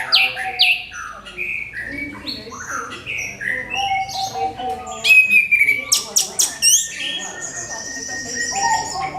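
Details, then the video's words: Orange-headed thrush, crystal-clear lure song for prompting other birds to sing: a dense string of varied whistled phrases and trills, several sharp loud notes in the middle, then sustained high whistles. "SUARA MENGKRISTAL ANIS KEMBANG PANCINGAN"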